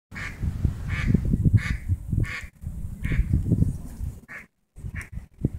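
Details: Several ducklings give short, nasal quacks every half second or so as a swimming dog approaches them in water in St Petersburg, Florida, over a steady low rumble of water.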